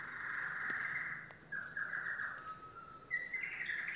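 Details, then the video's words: Domestic canary, yellow, delivering a warbling song: a long rolling trill, then shorter trilled phrases and a thin flat whistle before a rising buzzy roll, over steady background noise. "canary singing"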